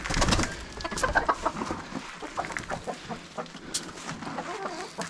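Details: Hens during their morning feeding routine on a rural plot, giving short, irregular clucks over a busy, rustling farmyard background with footsteps and scattered noises.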